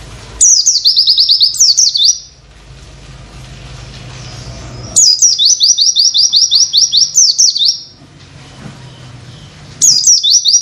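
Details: Oriental white-eye tutor song for training other birds, 'witwit' material: three bursts of shrill, rapid, downward-sweeping notes, each burst about two seconds long, separated by quiet gaps with faint low hum.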